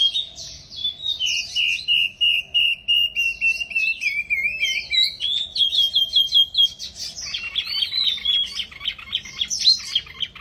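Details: Mini wambi in full song, opening with a long sustained whistled trill that wavers and steps upward, then breaks into rapid scratchy chattering and mimicked-sounding phrases, all high-pitched and continuous.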